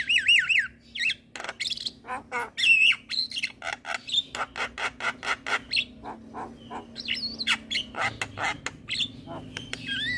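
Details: Javan myna in lively song intended to get other mynas singing, opening with wavering warbled whistles, then a steady train of sharp clicking notes about three per second, broken by wobbling whistled phrases; low hum beneath.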